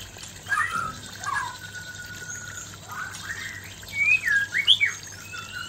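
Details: Male white-rumped shama singing to a fierce female, used to stir breeding readiness: clear whistled phrases that slur up and down, some rising sharply, with pauses between them and a soft trickling background.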